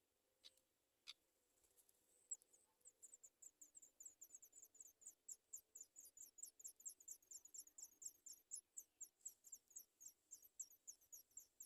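Sooty chat chicks beg with very high, thin squeaks, about two a second, growing louder and steadier as the calling goes on.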